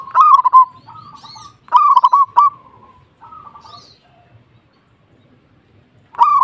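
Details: Local zebra dove in full song: loud, bubbling coo phrases, each trailed by softer drawn-out notes, repeated several times with a pause before the last phrase.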